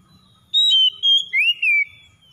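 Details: Oriental magpie-robin (kacer) lure song to get a reluctant kacer singing: four loud whistled notes, level at first, then an arched slur rising and falling.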